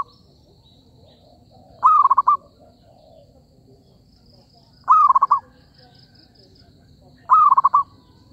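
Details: Zebra dove call used for trapping: three evenly spaced bursts of five or six fast, soft, rolling coo notes, each under half a second, roughly every three seconds, over quiet background with faint bird notes.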